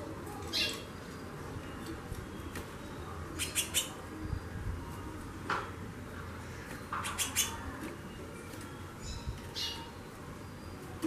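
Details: Female white-bellied seedeater calling a lot, with sharp chips given singly and in quick clusters of two or three across the clip, spaced irregularly.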